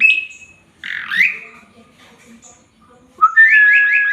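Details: Male Asian pied starling in full song, used as a master recording for training birds: a level whistle, a harsh squeaky rising note, then after a pause a steady whistle broken by a fast rippling trill.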